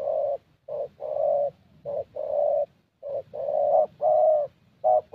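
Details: Young Spotted Dove with a fairly good voice, called a thổ dove, recorded during a decoy session in Gia Lai, Vietnam; repeated low hollow coos in short-long pairs, a brief note followed by a drawn-out one, several phrases in succession.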